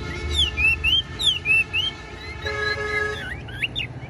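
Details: Caged Chinese hwamei of the Bánh tẻ type, a tame bird with a broad fanned tail, giving loud clear whistled notes that rise and fall in quick looping phrases, then a lower steady tone and more twisting whistles.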